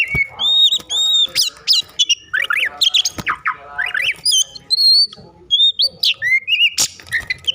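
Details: Oriental magpie-robin in an agitated, over-emotional state, used to provoke other magpie-robins into singing; a rich, rapid song of whistled notes mixed with sharp clicks and harsh squawks, high-pitched throughout with brief pauses.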